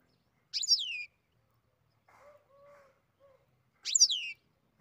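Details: Captive-bred European goldfinch beginning to sing: a high, buzzy, sweeping note, a pause with faint low hums, then the same descending note again.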